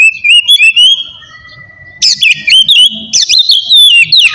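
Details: Oriental magpie-robin in full ngeplong song, used to provoke rival or reluctant birds into singing: loud clear whistled phrases and sweeping slurred notes, a long steady held note mid-way, then a burst of varied rapid whistles and trills.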